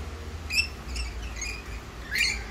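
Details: Short, harsh screeching notes from a wild Australian rainbow lorikeet, four bursts in under three seconds, the last the loudest, over a low background rumble.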